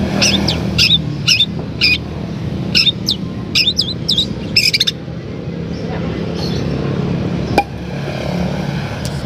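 A Long-tailed Shrike gives bursts of sharp, chattering high notes in quick clusters over the first five seconds, with steady traffic rumble beneath.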